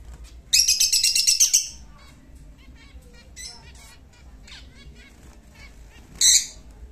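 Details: Caged lutino lovebird singing as a pet in Muzaffarpur, Bihar: a loud burst of rapid, shrill, buzzy chirps lasting about a second, then quieter scattered twitters and another brief harsh burst near the end.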